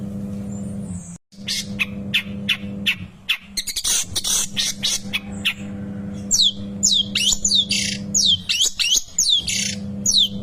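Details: Long-tailed shrike song used as a training recording for young birds: varied chirps, harsh squawky bursts and quick rising whistled notes, with a steady low hum underneath and a brief gap near the start.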